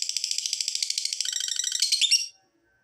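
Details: Rapid lovebird chatter played to coax lazy lovebirds into calling: a dense, fast, pulsing buzzy trill of harsh notes running for over two seconds before stopping abruptly.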